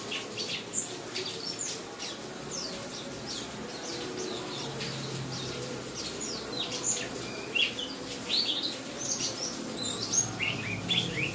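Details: White-eye kept as a pet bird, singing amid steady rain; scattered high, quick chirps and short twittering notes come irregularly over a constant hiss of rainfall.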